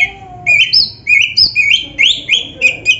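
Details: Oriental magpie-robin training song, lively and gacor, meant to make a quiet kacer answer; a low drawn whistle opens, then paired high and mid whistled notes repeat in bouncy, regular bursts.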